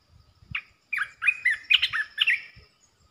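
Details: Asian red-eyed bulbul, a territory holder calling, delivers a quick burst of bright, tumbling chirps, about a dozen clipped syllables in under two seconds, with soft low knocks behind.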